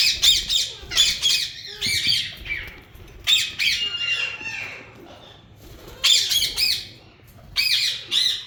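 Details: Harsh, grating squawks from a yellow ringneck breeding pair come in rapid clusters roughly every one to two seconds, with quieter gaps between the bursts and a brief steady whistled tone partway through.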